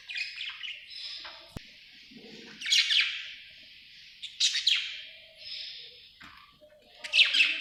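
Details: Happy budgerigar chirping indoors with warbling, scratchy high notes that come in bursts, separated by softer stretches of quiet, rambling twitter, with a sharp click partway through.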